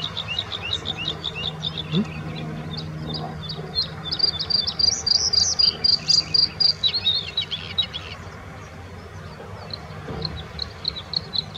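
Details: Bluethroat singing at the Offstein clarification ponds: a long varied run of high chirps and trills, with a steady stretch of rapid repeated notes in the middle and a faint background hum.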